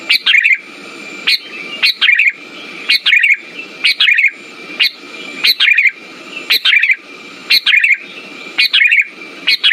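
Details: Sooty-headed bulbul singing in a lure recording for stimulating quiet birds: brief bright bubbly phrases about once a second, a steep upward chirp then a rolling warble, with a coarse low buzz under each.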